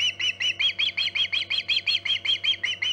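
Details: Osprey calling at the Hog Island nest, 14 August 2019, near 11:45 am EDT: about fourteen sharp, piercing, slightly downslurred whistles in three seconds, evenly spaced, with low constant hum behind.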